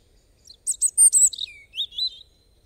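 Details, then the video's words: A European robin sings a short phrase of sharp high notes followed by a descending slur and a rippling, wavering trill fading out; quiet background. "Robin Bird Song"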